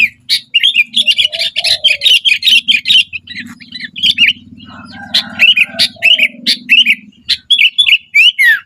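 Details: Sooty-headed bulbul singing vigorously, a dense run of short bright chirps and whistled notes repeated rapidly, some notes sliding upward, over a steady low hum with a brief lower warbling phrase in the background.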